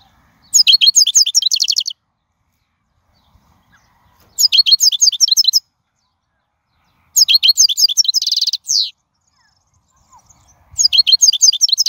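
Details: Wild goldfinch song for teaching fledglings: four separate phrases of rapid, bright twittering notes, each about a second and a half long, divided by clean silences.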